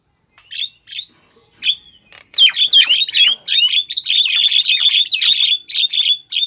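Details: Female Javan myna calling a male, a lure recording: a few scattered short notes, then a loud, continuous stream of harsh, chattering squawks mixed with clear whistled slurs.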